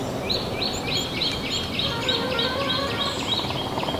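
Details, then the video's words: Small minivet in forest of the Narsapur Forest Range, India: a fast series of thin, high notes repeated about three times a second, each rising then flattening, over steady rural background noise. "Small Minivet - Narsapur Forest Range"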